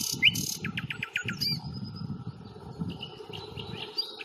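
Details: Common nightingale heard on a 1 May walk around the Fingringhoe reserve: one bright note, then five quick downslurred notes in a row and a thin sustained whistle, against low rumbling background noise.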